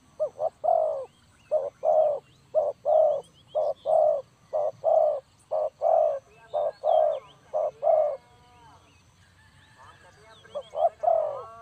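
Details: Spotted dove cooing, recorded for luring birds into traps: a long series of about fifteen short, hollow coos, evenly spaced at roughly two per second, then a pause with faint high chirps before the cooing resumes.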